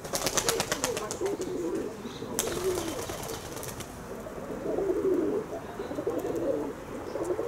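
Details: Pigeons kept by their owner give soft, muffled coos in two bursts, with rapid clicking and rustling noises near the start and a sharp knock partway through.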